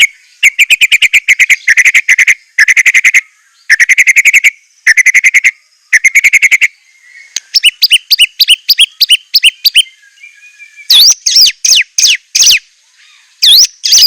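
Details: White-rumped shama 'isian' song made of buzzy, rattling bursts repeated roughly every second, then a quick stuttering trill and loud swooping whistled notes toward the end.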